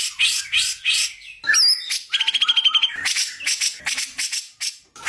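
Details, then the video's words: Magpie-robin song used as a training recording: varied phrases of sweet whistles, one sliding whistled note, a fast stuttering trill of repeated notes, then scratchy chattering bursts. "masteran burung murai"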